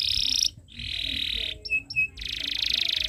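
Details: Canary tutor recording for young birds: loud grating trills alternate with short pauses, two brief clipped whistled notes in the middle, then a rich rolling trill to the end.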